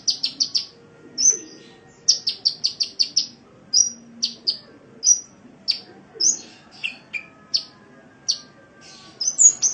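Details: Master recording of a sunbird made to train caged songbirds: quick clusters of sharp high chirps, some falling in pitch, interspersed with single whistled notes, steady and lively over quiet background.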